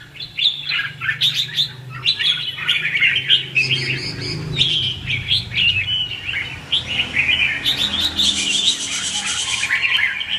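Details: Competitive song of a red-whiskered bulbul, the 'hót ché' style used as a lure for trapping: short, clipped warbled phrases repeated about every second, then a sustained scratchy stretch toward the end.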